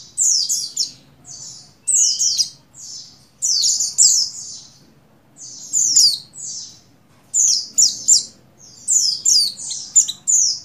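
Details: High, thin, downward-sweeping chirps in bunches of two to four, spaced by short pauses, come from a female buxtoni Oriental white-eye in breeding condition calling the male.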